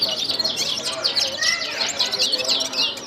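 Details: Gulsar bird singing: a rapid, busy run of high, sharp chirps and short downslurred notes, tightly packed and overlapping, with a fainter, lower whistled phrase slurring through the middle.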